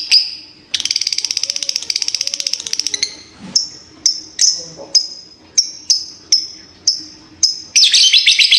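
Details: A fighter lovebird bursts into a fast buzzy ngekek trill lasting about two seconds, then gives a series of separate sharp high chirps ending in another chattering burst; faint low hum and soft warbles beneath.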